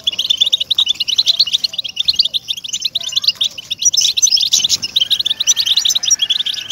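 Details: European goldfinch song used to stimulate captive birds: rapid high twitter of jingling notes and trills throughout, growing denser and louder around the middle before easing off.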